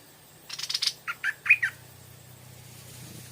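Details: Evening Stripe-throated bulbul drawn in by a decoy bird, giving a quick run of chattering notes and then four short, clear, slurred whistled phrases; a low steady hum runs underneath.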